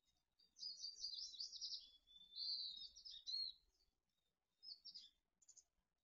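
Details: Mountain chickadee nestlings in a nest near Truckee in late June 2020, in early morning just before fledging, give high, thin, buzzy chattering calls in two long runs, then a few brief scratchy bursts, over faint low rumbling.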